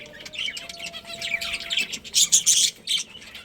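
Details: Budgies chirping in a colony: twittering warble that grows louder, peaking in sharp bursts of chirps near the end.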